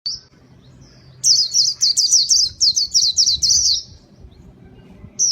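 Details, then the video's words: Pleci (white-eye) song used as a lure for catching birds: a fast run of high, sweet twittering notes, about a dozen quick chirps in under three seconds, opened and closed by brief high whistles over quiet background. "Kicau pleci gacor paling ampuh buat pikat"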